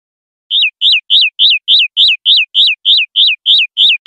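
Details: Common linnet in 'pardillo limpio' clean song style of silvestrismo, 2025/2026 recording: eleven identical high notes, each a sharp rise and falling slur, repeated steadily about three times a second in quiet surroundings.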